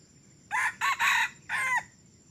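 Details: A young red junglefowl, crowing for just three weeks and brought along for decoy trapping, delivers a sharp four-part crow: two short opening notes, a longer loud middle note, then a drawn final note falling away, against quiet hiss.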